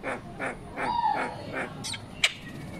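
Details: A myna mimicking human speech such as "good morning" and "I love you" gives a run of short, harsh, voice-like syllables about three per second, a brief whistled note, then two sharp high chirps.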